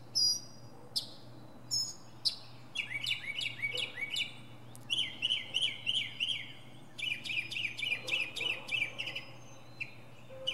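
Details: A northern mockingbird sings from the top of a pine tree, running through many different sounds: sharp high chips, then rapid repeated buzzy phrases around mid-high pitch, several note types in quick succession, with a low steady hum beneath.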